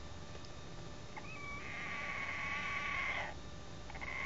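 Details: Odd vocalisation from a chicken, Android phone recording: a long, steady, nasal whine held for about two seconds, then fading, with a shorter similar note starting at the end.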